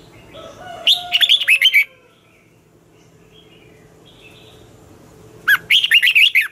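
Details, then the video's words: Two warbled phrases of red-whiskered bulbul competition song, the twisting voice used to train newly caught birds, each a fast string of bright, bending whistles, separated by about four seconds of low background murmur. "luyện chào mào hót sáng, Giọng xoắn hay dùng để ép bổi, Má trắng học giọng rất hay, chào mào hót đấu"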